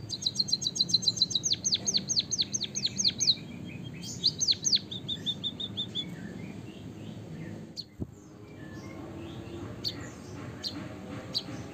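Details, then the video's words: Javanese white-headed munia giving a long rolling song with canary-like fill, meant as a master recording for other birds: fast high trill turning into repeated falling slurred whistles, a second burst, then quieter scattered notes and a sharp click. "suara burung emprit peking bondol kaji gacor isian kenari ngeroll panjang"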